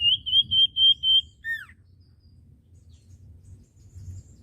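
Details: Common iora song used as a training recording for caged birds: five bright whistled notes in quick even series, then a sharply falling slurred whistle, followed by low background hum.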